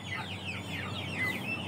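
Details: Aseel, Oshamo and Ganoi chickens: a few soft, high, descending peeps, one with a clear whistled tone, over a constant low hum.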